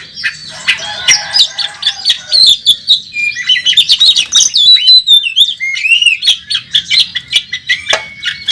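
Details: Champion contest Oriental magpie-robin battling on the track, its song full of fill-in phrases: a busy tumble of chattering notes building into clear, slurred whistles, then a run of sharp, evenly spaced chips.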